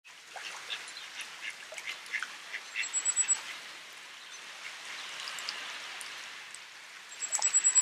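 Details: Common Firecrest (Regulus i. ignicapilla) at Lake Como, Italy, in March 2016 giving two brief bursts of very high, thin, quickening notes over a steady rushing background like water.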